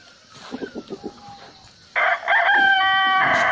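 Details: Rooster crowing: soft low clucks at first, then a loud harsh crow with a drawn-out, strained, harmonic-rich ending held for over a second.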